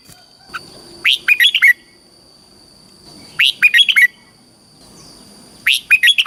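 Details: Thai caged Red-whiskered Bulbul in southern master song style, meant to stimulate caged birds and train chicks: three phrases of rapid, rising-and-falling whistled notes, each a tight cluster of about five, separated by short pauses with a constant thin background tone.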